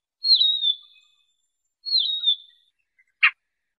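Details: Siberian rubythroat, a bird used for trapping, gives two long thin whistles that start high and slide slightly down before fading, a pause between them, followed by a single dry click.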